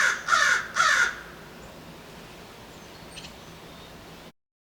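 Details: American Crow among city infrastructure: two harsh, drawn caws close together, then low background noise with a faint distant chirp before the sound cuts out.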